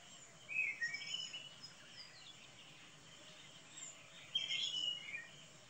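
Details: Shrill whistled notes of a common kingfisher, one short burst early on and another a few seconds later, each slightly falling in pitch, set against a steady faint hiss.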